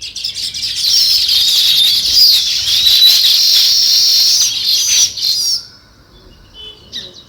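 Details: A crowd of sparrows twitters in fast, overlapping high chirps for about five seconds, then the chorus stops abruptly, leaving a few faint scattered notes.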